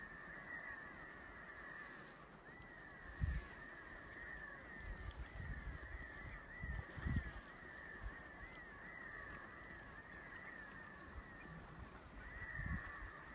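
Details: A flock of Redheads (Aythya americana) calls nonstop, a dense chorus of short, nasal, beeping notes rising and falling over each other, with low rumbles of wind and water.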